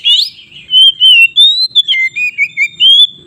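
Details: White-rumped shama song for provoking rival birds: a rough opening burst followed by sustained clear whistles, then a lower run of short warbled notes and a final held whistle.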